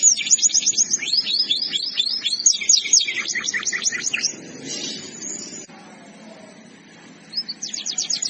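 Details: Canary singing a masteran, a tutor song for training other canaries: fast high trills of repeated sweeping notes for about four seconds, then a quieter lull with faint background hum before another brisk trill starts near the end.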